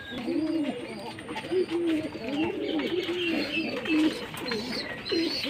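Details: Jacobin pigeon producing repeated low, throaty, arched coos in a near-continuous rolling sequence, with a few brief higher chirps mixed in.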